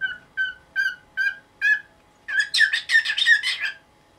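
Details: Morning calls from a pet cockatiel, now nineteen years old, demanding that its cloth cover be moved: five evenly spaced whistled notes speed up into a loud, rapid, harsh chattering burst.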